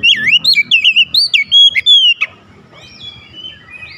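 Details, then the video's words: Stirred by a rival, an Oriental magpie-robin delivers a rapid string of rolling, looping whistles and a long sustained note. Softer distant whistling follows after the phrase ends. "SEKALI BUNYI KACER LAWAN LANGSUNG NAIK EMOSI BONGKAR ISIAN"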